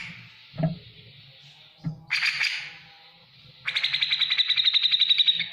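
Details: Grey-cheeked bulbul in energetic ngetik ngipik song, used as a training recording for other cage birds: a brief buzzy burst, then a fast run of sharp ticking notes repeating about four times a second, with low thumps early on.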